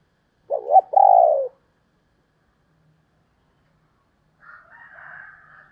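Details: A female spotted dove gives a single low coo phrase, a quick double note and then a drawn-out falling coo. A softer, higher, scratchy sound follows after a pause.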